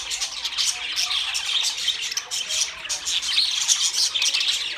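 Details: Several budgerigars keep up a busy warbling chatter, rapid raspy chirps and thin squeaks tumbling over one another, rising and falling in loudness throughout.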